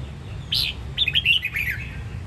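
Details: Red-whiskered bulbul of the Sông Kon line from Đông Giang, Quảng Nam, Vietnam, kept by bird trainers: a clear rising whistled note, then a quick run of bright warbled whistles falling at the end, low hum beneath.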